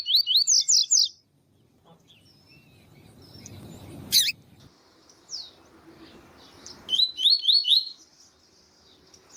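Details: A double-collared seedeater (Sporophila caerulescens), male song with a calling female, gives two bursts of rapid, high, sweeping notes, each about a second long, with soft background rumble between.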